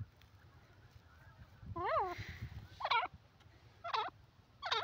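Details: Grey francolin calling: loud harmonic notes with wavering, chevron-shaped pitch, repeated roughly once a second in a short series, over steady low background hum.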